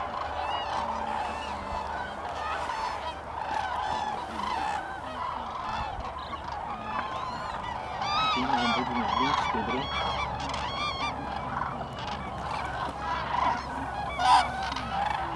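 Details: Many cranes at Lake Hornborgasjön, Sweden, in April 2017 keep up a steady chorus of bugling, trumpeting calls, roughly one a second, over a continuous hum of distant birds, with a sharp louder note near the end.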